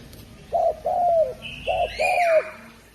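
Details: ['Spotted dove, called derkuku, from Java, Indonesia: two paired coos, each a short low note and then a longer note that slides downward. A higher whistled sweep from another bird overlaps near the end.']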